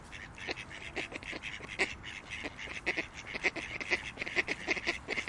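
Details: Ducks in a park, quacking loudly and repeatedly in harsh, nasal bursts, roughly two to three per second, some overlapping as several birds call together, over a low background hum.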